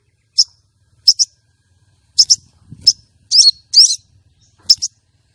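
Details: Female common iora call for luring and arousing a male contest bird: quick bright chirps, some doubled, building to two buzzy slurred rattles, then a final doubled chirp, all high-pitched.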